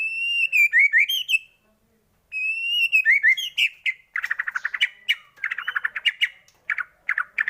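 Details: White-rumped shama singing, used as a lure to get other shamas singing: long clear rising whistles with ringing overtones, then a dense stretch of rapid, scratchy chattering notes repeated in quick bursts.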